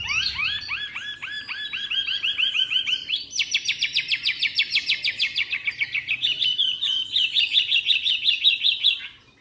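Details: Three-month-old caged white-rumped shama in Hanoi, Vietnam, recently brought home and not yet bathed, singing persistently: a run of rapid repeated whistled notes, then a long fast trill shifting to higher, sharper warbled phrases.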